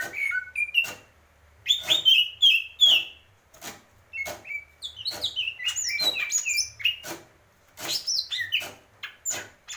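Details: Greater green leafbird: bursts of whistled and squeaky notes separated by pauses, with frequent sharp clicks and tapping sounds throughout.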